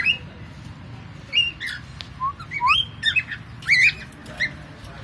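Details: Pet cockatiel making funny sounds: a run of short whistled and squawky notes, some sliding upward and some dropping, bunched in bursts across the few seconds, with a faint low hum behind.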